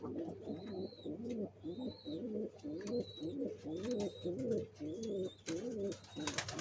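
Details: Nest-building pigeons preparing to lay eggs, cooing in a throaty, rolling phrase repeated roughly every second, with thin high whistles overhead and a constant low hum.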